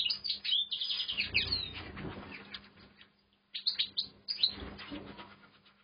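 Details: European goldfinch in an aviary at the start of its singing, with quick high twittering notes and short trills broken by a brief pause, over soft low rustling and bumping sounds and a faint constant hum.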